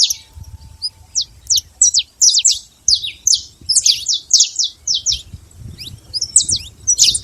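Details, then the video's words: Wild, free saffron finch song: bright, high chipping notes in loose clusters, speeding into dense bursts mid-phrase, over a soft low background hum. "canário da terra livre na natureza"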